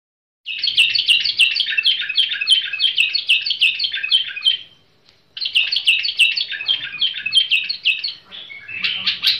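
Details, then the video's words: Tamed bulbul singing: long runs of fast, chattering notes that fall in pitch, repeated about three times a second, with a short pause midway and quiet surroundings. "بلبل المطوعة فريزر"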